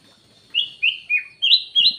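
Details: Black-naped oriole giving a lure call of five clear, slurred whistled notes in a steady rhythm, some falling and some rising, within two seconds.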